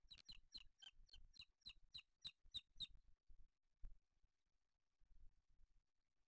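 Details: Booted eagle at a nest with chicks in Spain on 8 July 2023, the male arriving with a bird for the older chick; a rapid series of about ten high, sharp notes over three seconds, then quiet with soft low thumps.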